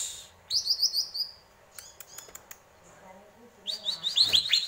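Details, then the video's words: Greater green leafbird song: a quick high chattering phrase, scattered clicks and a pause, then another rapid series of sharp high notes. "Burung cucak ijo, bikin adem indah dengarnya"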